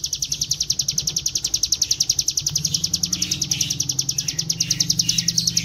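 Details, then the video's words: Lure recording of a Bar-winged prinia (ciblek gunung) singing in the non-stop ngebren style: fast, high-pitched chipping notes in an unbroken rattling series, with a low hum underneath. "Pancingan bunyi CIBLEK GUNUNG dengan suara ciblek gunung GACOR NGEBREN"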